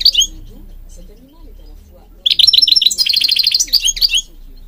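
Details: Singing European goldfinch from Morocco, recorded for training birds: a short high twitter opens, a quiet spell with faint low murmur follows, then a rapid run of tinkling, trilled notes.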